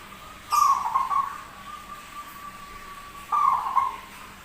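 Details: Rare zebra dove with an unusual voice that sings often: two trilled, low cooing phrases about three seconds apart, joined by a faint steady held tone, with a short high rustle at the start.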